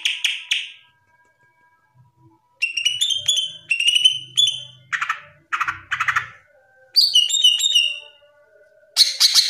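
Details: Cucak ijo in open, lively song: harsh buzzy bursts alternate with quick whistled phrases of sliding notes, separated by short pauses, with a faint low hum behind.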